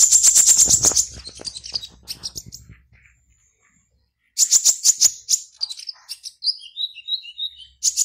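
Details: Caged black-naped oriole in an online singing competition, Serang, Banten, Indonesia; opens with a loud rapid rattle, falls silent, then resumes with chattering notes and slurred high whistles.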